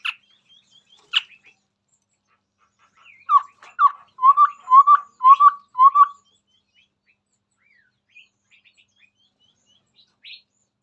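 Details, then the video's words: A Chestnut-rumped babbler sings in front of a phone. Two sharp high clicks come first, then a quick run of about seven low, hollow whistled notes. Quiet surroundings. "Burung Tepus Tunggir merah Gacor"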